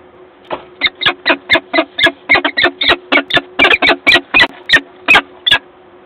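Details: Peregrine falcon at its nest in Gdańsk, Poland, 1 April 2022, heard through a live nest camera: a rapid, harsh series of about twenty clipped kak notes, nearly four per second, over a faint steady hum.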